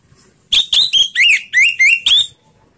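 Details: Anis merah, the orange-headed thrush, delivering slow ngeplong song: seven loud whistled notes in about two seconds, some slurring upward and others steady, each ringing and clear.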